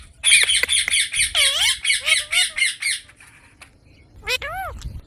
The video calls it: Baby parrot talking|Ameging Indian parrot|Green Parrot|Mithu ki Aavaj|Desi parrot talking video